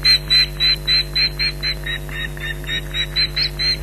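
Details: At the Loch Garten nest in July 2011, an Osprey calls in alarm at an intruder: quick, evenly spaced shrill yelps, nearly four per second, against a steady background hum.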